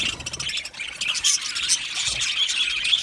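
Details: Aviary colony of Australian budgies singing and chirping at once, a steady busy blend of high raspy chatter, short squeaks and warbled notes from many birds overlapping.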